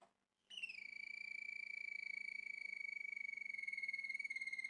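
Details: Male Malinois Waterslager canary kept by a breeder in Turkey, delivering a long, even, rapid rolling trill on one steady pitch after a brief pause.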